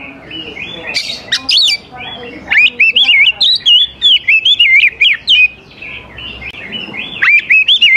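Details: Oriental magpie-robin, used as a lure for young wild birds, singing a long, fast run of warbled whistles that rise and fall, after a few scattered opening notes.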